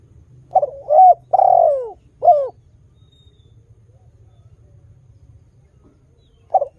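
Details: Spotted dove, an actively calling bird used to lure wild doves into calling along, gives a short phrase of mellow coos that rise and fall, with one longer drawn-out descending note, then falls silent before a final coo.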